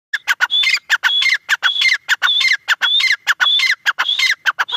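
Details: Grey francolin (teetar), dakni type, calling: loud repeated phrases of harsh notes with a clear rising then falling whistle, about twice a second in a steady rhythm.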